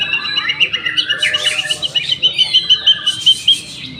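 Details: Young white-rumped shama kept in a hanging cage delivers a fast run of bright, evenly spaced chirped notes, about five per second, over busy high warbling and twittering from birds around it.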